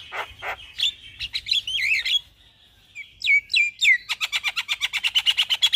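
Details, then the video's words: Javan myna in morning song, used to train caged birds: squeaky varied phrases and warbled notes, a brief pause, downslurred whistles, then a fast rhythmic series of chattering notes. "Jalak Kebo Gacor Mnggut manggut pas Buat Masteran Jalak Pagi Hari"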